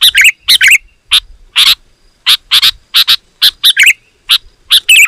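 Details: Sooty-headed bulbul calling loudly and densely to lure wild bulbuls: bubbly warbled phrases at start and end framing a run of harsh, evenly spaced chirps.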